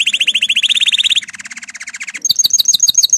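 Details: Excited male canary preparing to mate: a fast, bright trill shifts abruptly to a lower, slower rolling trill, then to a high, sparkling run of quick double notes, each section lasting about a second.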